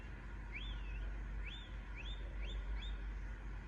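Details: Young Indian ringneck parakeet repeating five quick rising chirps that each curl over at the top, about one every half second, against a constant low rumble.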